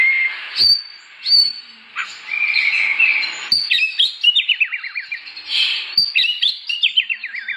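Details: Oriental magpie-robin singing in the morning in ngeplong style to set off other magpie-robins; scattered sharp clicks and a short whistle, then rapid cascades of descending slurred notes.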